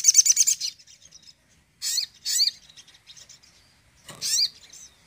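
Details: Crimson sunbird tembakan song meant to excite less active birds: a dense high trilled burst, then brief scattered chips and two or three sharp swooping chirps.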